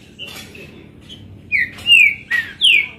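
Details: Kept green-winged saltator singing on 22 April: after a quiet start, four loud clear whistled notes, each sliding downward, follow in quick succession in the second half, with a man's voice briefly heard.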